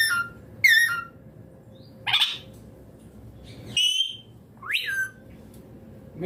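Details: Rose-ringed parakeet calling with loud, raspy, falling screeches and rising chirps, about five calls in six seconds with short quiet gaps, a low constant hum underneath.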